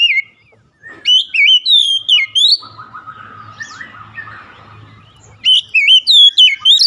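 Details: Oriental magpie-robin singing loud, sweet whistled notes in quick slurred phrases that rise and fall, pausing mid-way while softer lower warbling continues, then bursting again into rapid high whistles.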